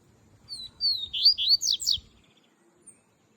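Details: Melodic song of a coleiro (double-collared seedeater): about a second and a half of high, sweet whistles, starting with drawn-out slurred notes and breaking into quick, sharply falling chips, followed by near silence and one faint distant note.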